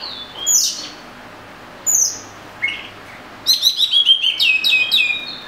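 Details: Oriental magpie-robin with a few separate high swept notes followed by a fast rattling run of repeated chirps.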